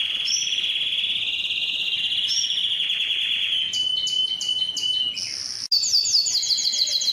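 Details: Strong male-style canary song meant to spur other males, excite females toward breeding and teach young birds: long steady whistled tour, then a series of rapid choppy high notes, a brief gap, and fast descending trilled rolls.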